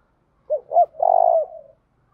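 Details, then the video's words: Spotted dove giving a soft cooing phrase: two short hooting notes, then a longer, slightly rolling coo that trails off and fades, against quiet surroundings. "nghe cu gáy gáy"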